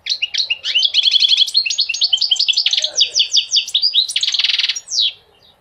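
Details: Goldfinch song played to motivate males and teach young goldfinches: continuous fast twittering of liquid chirps and trills, ending in a loud buzzy burst and a final slurred note.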